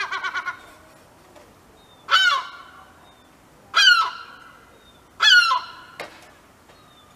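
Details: European herring gull guarding a chick on the ground and warning nearby gulls: a quick burst of five short yelping notes, then three loud harsh screams about one and a half seconds apart, with a fainter call near the end.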